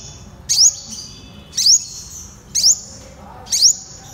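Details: Purple sunbird (Cinnyris asiaticus) song: four high, thin, sharp buzzy phrases, each a quick sweep, repeated about once a second against a quiet background.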